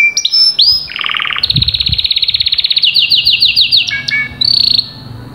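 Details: Caged canary singing, offered to stimulate a canary that has stopped singing: loud varied song of bright whistled notes, fast rolling trills and repeated rising chips, with rapid note changes throughout.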